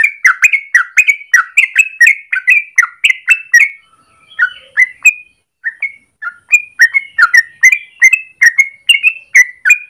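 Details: Morning song of a yellow-vented bulbul, a long rapid sequence meant as a lure or master for training birds: dense bubbly warbled notes, a short quieter break near the middle, then the chattering phrases resume.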